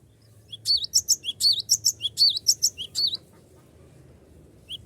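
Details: Vigorous cinereous tit song used as a lure to draw rival birds into singing: a string of about ten quick, shrill chirped notes, then silence against a soft background.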